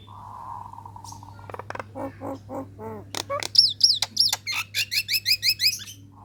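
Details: A female Nias hill myna calls to males. A steady low hum gives way to soft gurgling notes, then bright high whistled slurs repeated rapidly in loud bursts, under a constant mains-like drone.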